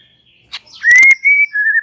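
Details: White-rumped shama singing relaxed chatter to prompt young and wild-caught juveniles: a faint click, then long pure whistles, one slowly rising and held, followed by a steadier lower whistle, with some crackling clicks.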